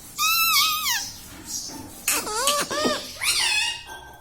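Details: A talking pet parrot imitates household words like "mummy" and "papa", giving clear whistly phrases that fall and then rise, split by short pauses, indoors.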